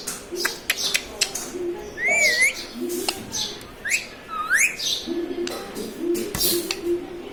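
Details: Pet green parrot, said to talk and say words such as mummy, papa and radhe radhe; here two clear rising-and-falling whistled sweeps stand among clicks, taps and scattered chirps in a room.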